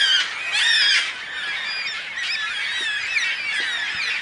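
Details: A large flock of yellow-tailed black cockatoos flying over a backyard gives loud, harsh, grating calls that overlap continuously, with a louder burst in the first second.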